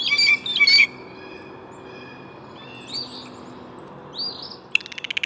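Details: Blue jay calls: a pair of harsh, buzzy notes in the first second, quieter rising notes later, then a fast run of short clicking pulses at the end.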